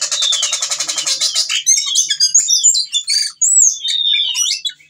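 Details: Whistling thrush (ciung batu) calling for a female while in breeding condition: a fast buzzy rattle for over a second, then scattered high whistles, squeaks and sharp chips.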